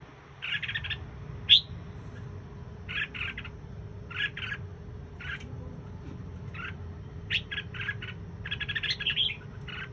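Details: Red-whiskered bulbul (chào mào) singing: short bright bursts of buzzy, slightly warbled notes, spaced irregularly about a second apart, with a quick cluster of notes near the end over a low steady hum.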